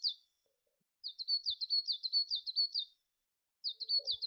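A tit gives a quick run of very high, thin, twittering notes for about two seconds, then starts a second burst after a short pause.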